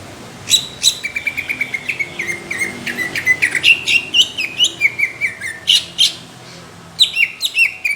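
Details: Rough, thick burst song of a greater green leafbird, the kind that judges target: a dense, continuous stream of sharp chirps and downslurred whistles for the full length, with a short pause before a final flurry.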